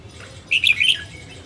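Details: A female red-whiskered bulbul of northern origin gives a single brisk warbled phrase of bright chirping notes, falling at the end, with steady low background noise.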